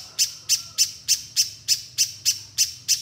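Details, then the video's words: Little spiderhunter in vigorous 'gacor mbeset nembak' calling, used to get untrained spiderhunters calling quickly: ten sharp, high, clipped notes spaced about every third of a second, steady and evenly repeated. "Pijantung Pisang Gacor Mbeset Nembak Nembak‼️Bikin Pijantung Bahan Cepat Bunyi"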